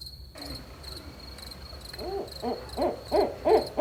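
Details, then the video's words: A barred owl hoots at night, a quick run of five arching hoots about a third of a second apart and growing louder, over a steady high insect trill. "Barred Owl Hooting at Night"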